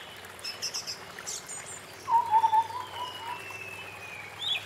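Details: A single low, wavering whistled call of a White-browed scimitar babbler rings out midway in forest, surrounded by faint high chirps and a long thin whistle from other birds.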